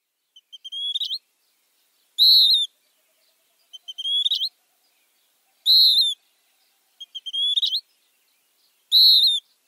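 A Western wood-pewee alternates two high phrases: a few quick stuttered notes ending in a rising sweep, then a burry, down-slurred note, about every one and a half seconds.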